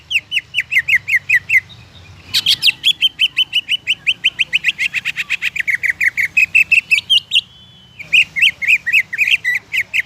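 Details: Greater green leafbird pouring out song to get other leafbirds singing, with long, nearly unbroken trains of rapid, evenly repeated sharp chirps mixed with richer slurred notes and a short drawn whistle.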